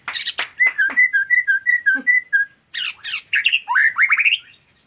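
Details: White-rumped shama singing energetically in 'gacor' style: sharp clicks, then a run of clear evenly spaced whistled notes, followed by harsh buzzy bursts and a rapid rising rattling trill.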